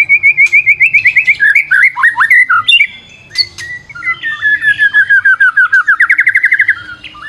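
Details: White-rumped shama song used as a lure to provoke other birds: loud, rapid trills of repeated whistled notes, some rising and falling, then sweeping slurs and a fast chattering run.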